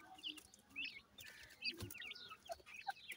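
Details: Grey francolin chicks utter sparse, thin chirps and little up-and-down whistles, a few per second, with occasional clicks and faint background rustle.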